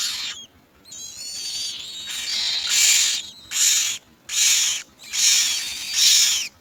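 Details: Common mynas collecting insects to feed young: thin whistled notes open, then a run of loud, harsh, hissing screeches, each lasting under a second and repeated with short gaps.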